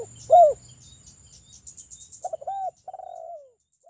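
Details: Local spotted dove cooing, used to draw other doves into singing. A single mellow arched coo is followed by a stuttered run of short notes and a falling, drawn-out coo, over a faint steady high tone.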